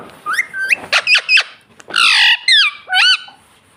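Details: Pet rose-ringed parakeet imitating speech, "mummy": sharp rising chirps, a loud harsh squawk lasting about half a second, then quick whistled syllables in a descending pair.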